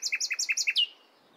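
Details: Morning song of a nightingale: a rapid series of seven identical, bright, two-part chipping notes, then one longer, louder downslurred note that fades out.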